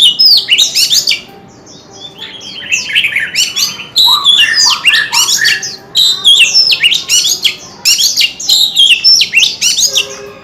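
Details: Oriental magpie-robin in loud, rich song: rapid varied whistles, chirps and slurred notes in dense phrases of one to two seconds, separated by brief pauses.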